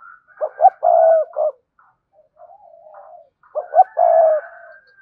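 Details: Spotted dove, cườm sa type, cooing to make males answer fast: two loud coo phrases about three seconds apart, each two short notes, a long low tone and a closing note, softer coos between.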